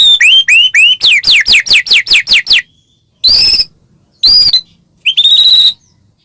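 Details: Energetic white-rumped shama song meant to provoke rival shamas into singing: a fast run of about a dozen high, sharply descending whistled notes, then three separate loud ringing phrases after short pauses.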